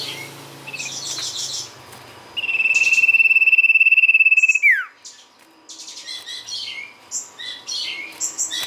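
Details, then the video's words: Sirtu song used as a lure recording. After scattered high chirps, a level buzzy trill of fast pulses runs for over two seconds and drops away in a quick falling slur. More twittering follows. "pancingan sirtu gacor"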